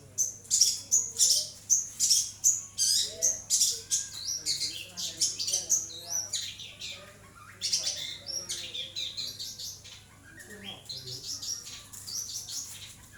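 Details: A long-tailed shrike sings vigorously for a recording meant to train other birds, delivering a long stream of shrill, rapid chirps and sharp whistles, loud rhythmic bursts early, then softer, more varied twittering phrases.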